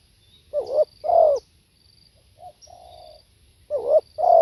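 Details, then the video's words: Spotted dove giving two loud coo phrases, each a clipped note then a longer, deep, wavering coo, with a soft, low hum-like note between them. "เสียงนกเขาใหญ่ สด | suara tekukur"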